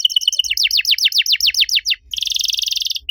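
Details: {'caption': 'Training song from a canary, used to stir other canaries that went quiet: a run of about a dozen quick, high downward-slurred notes, then a dense, buzzy, even trill.'}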